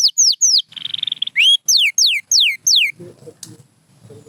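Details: Pure white canary singing sharp falling whistled notes and a brief buzzy trill, followed by a quieter stretch with soft low background noise and a single high note.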